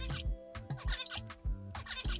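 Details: Zebra finch song played from a speaker beside a caged female in a mate-preference experiment: quick repeated motifs of nasal, buzzy harmonic notes mixed with sharp clicks, over a steady musical hum.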